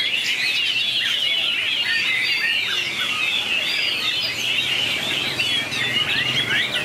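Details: Contest singing by white-rumped shama, 2019, noted for long voice changes: an overlapping, rapid stream of high whistled notes and trills at fairly even volume, with no real pauses.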